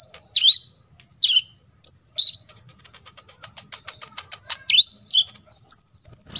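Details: Kolibri ninja, or olive-backed sunbird, in full tembakan isian used to teach contest birds: separate bright downslurred chirps, then a quickening string of dry ticks and a closing high buzzy rattle.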